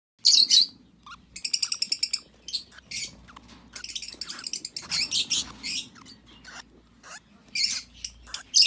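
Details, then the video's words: Young Fischer's lovebird chicks give shrill, high chirps: a quick rattling run of about a dozen notes, then scattered squeaky cheeps and bursts with short pauses. "Junge Pfirsichköpfchen"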